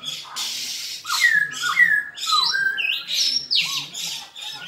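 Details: Black-throated laughingthrush singing a fighting song: a lively sequence of varied whistled notes stepping up and down in pitch, broken by rough squawky bursts, about two phrases per second.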